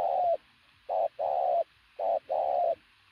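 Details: Very loud cooing from a strong decoy pigeon: paired phrases of a brief coo and a sustained mid-pitched coo, two full phrases plus fragments at each edge.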